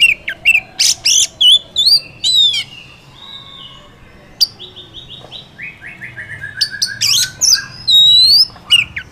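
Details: A wild Oriental magpie-robin sings a rich, varied song: clipped whistles and rasping bursts, then a softer run of repeated stepped whistled notes, ending with loud buzzy notes and a rising whistle.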